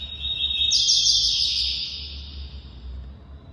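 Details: A captive male Double-collared seedeater (Coleiro tui-tui) moulting from spotted to black plumage sings a high, dense, buzzy two-second trill that rises partway then fades, over a faint low hum; the bird is excited by a nearby brown female, hopping about while singing.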